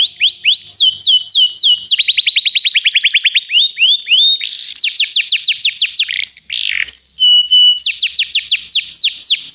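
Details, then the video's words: A canary sings a loud, fast training song of repeated descending whistled notes and rapid trills, switching between phrases of different pitch every second or two. "O melhor canário canário para treinar seu canário"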